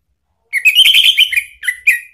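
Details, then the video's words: Lure song of an orange-headed thrush, styled 'pancingan ngeplong' to set a kept bird singing: one rich, rapid warbling phrase of slurred whistles, followed by two short separate upslurred notes. "jangan heran kalau ANIS MERAH mu seketika NYAUT ¦ PANCINGAN NGEPLONG ¦KICAUAN"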